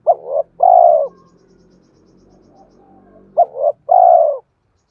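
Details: Cooing of a spotted dove, played to attract wild birds: two phrases, each a quick double note followed by a longer hoarse falling coo, separated by about two seconds of low background rumble.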